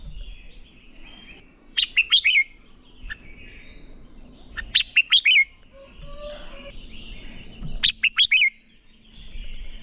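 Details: Red-whiskered bulbul singing a 'ché' training song to spur young birds into competitive singing: a short, lively warbled phrase of four or five sharp slurred notes, repeated about every three seconds, with faint chirps between.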